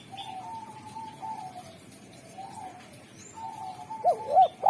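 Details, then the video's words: Spotted dove (derkuku) known for calling wild doves: mostly soft, steady, level coos from more distant doves, then a loud close phrase of two short swooping notes and a longer coo at the end. "Derkuku super gacor suara tajam, jernih, dan merdu pandai memanggil tekukur alam"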